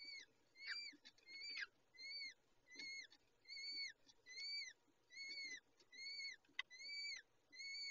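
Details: Peregrine falcon female feeding chicks at the nest: a regular, repeated series of about ten high, arched whistles, roughly one every three quarters of a second, over a soft hiss with occasional clicks.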